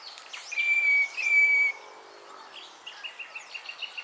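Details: Northern fiscal calling at Naro Moru River Lodge, Kenya: two loud, drawn-out nasal notes about half a second each, followed by a softer run of short, evenly spaced clipped notes.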